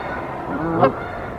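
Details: Canada goose pair defending their tree nest from an intruder goose in April; one short, harsh rising honk near the end, over a noisy, rumbling background.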